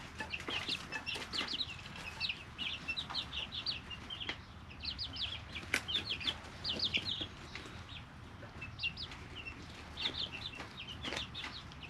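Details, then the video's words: Three-week-old chicks inside a brooder, chorus of high, quick chirps in repeated bursts separated by quieter gaps, with pecking taps and bedding rustle throughout. "Just Chicks - Life in the Brooder"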